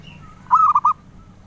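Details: Zebra dove praised for its melodious voice, sought by collectors, giving one mellow cooing phrase of four or five linked, wavering notes, the first the loudest, with a faint higher tone in the background.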